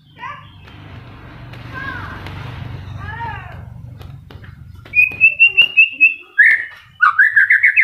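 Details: White-rumped shama in moult: a muffled, noisy passage with faint rising and falling notes, then clear song with a rapid run of short repeated whistles and bright swooping phrases.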